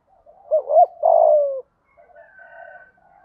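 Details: 'Thúc gù' coo of a spotted dove with 'giọng thổ' voice, used to stir doves quickly: one loud phrase, a wobbling two-note start and a long falling coo, followed by softer, higher cooing.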